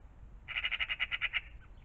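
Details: Morning magpie near a pond, rattling off a dry, machine-gun chatter of about ten evenly spaced harsh notes in roughly one second, then falling quiet.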